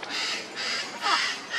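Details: Blue-and-yellow macaws, at least five birds, some eating fruit, give harsh, raspy squawks, about four loud grating bursts in quick succession; red-shouldered macaws are also calling nearby.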